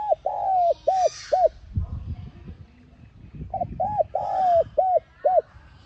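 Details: Spotted dove repeating its calling coo, used to stir a kept bird into cooing: two five-note phrases of short hoots around one long note, separated by a burst of low rustling noise.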